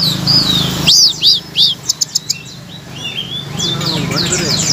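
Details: Song of a blue-crowned laughingthrush, played to coax silent songbirds into singing: three loud arched whistled notes, a few sharp clicks, then softer scratchy high twitters against a steady background hum.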